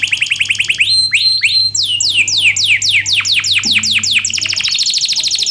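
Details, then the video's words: Canary singing as a model for lazy canaries to learn: a fast series of rising notes, then repeated loud downslurred whistles about five per second, ending in a dense high rolling trill; low hum in the background. "BURUNG KENARI GACOR⁉️ Cocok UnTuk MASTERAN KENARI malas bunyi"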